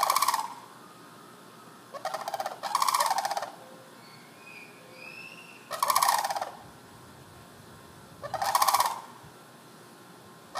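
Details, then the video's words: Sandhill cranes wandering a residential neighbourhood, recorded from a window, give loud, rolling, rattling bugles in four bursts about every two to three seconds; faint thin whistles from other birds come between them. "Sandhill Cranes Calling"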